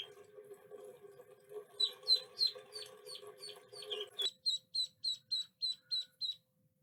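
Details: Little duckling calling with quick, high-pitched peeps, at first over a steady hum, then about seven clean, evenly spaced peeps in a regular series.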